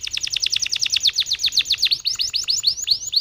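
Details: Canary lure song intended to make other canaries roll: a very fast series of downslurred chirps, roughly eight per second, easing slightly toward the end.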